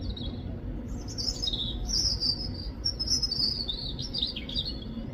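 A robin gives a run of high, thin, warbling chirps that rise and fall in quick, varied phrases for about four seconds, over a low steady rumble.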